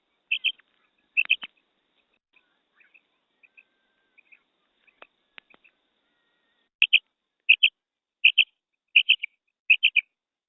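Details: Female quail call used for hunting: sharp, high paired notes, a pause filled with soft faint clicks, then a steady run of five double calls about every seven tenths of a second.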